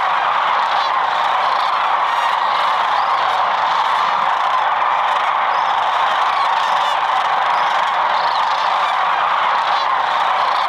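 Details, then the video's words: Sandhill cranes arriving in large numbers at sunset at their Platte River night roost in Nebraska, a dense continuous chorus of rolling, trumpeting calls from many birds overlapping without pause. "Silhouetted against the bright orange sky, their sound and numbers are astounding."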